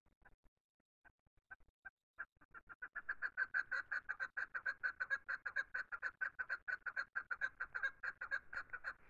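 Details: Chukar call in a hunting scene: a few isolated clucks, then an accelerating and continuous stream of hoarse, rhythmic chuck notes that grows louder toward the end.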